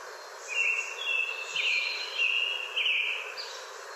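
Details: An American Robin near Boise, Idaho sings a quick run of clear, up-and-down whistled phrases, about four or five short carols in a few seconds, over faint background hiss; finding: American robin.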